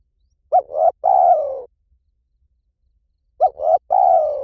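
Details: Training lure of a spotted dove in 'lio tan' style, to prompt a dove to call back: two matching phrases about three seconds apart, each a quick double coo ending in a long, lowering croo.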